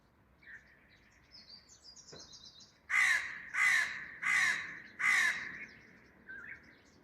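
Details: Crow in a garden calling loudly: four harsh, raspy caws in quick succession near the middle, preceded by faint high chirps of small birds and a soft click.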